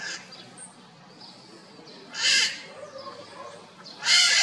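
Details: Red-shouldered macaws calling loudly from inside a chimney, the echo boosting their voices: three harsh, raspy screeches about two seconds apart, with fainter scratchy calls between them.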